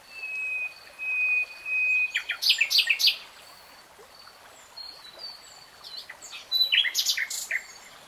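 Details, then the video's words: Common nightingale singing in woodland: a long pure whistle held steady, then loud rapid churring and chattering bursts, a pause, and another fast rattling phrase, with a faint stream murmuring beneath. "BEST NIGHTINGALE SONG 3 Hours REALTIME Nightingale Singing"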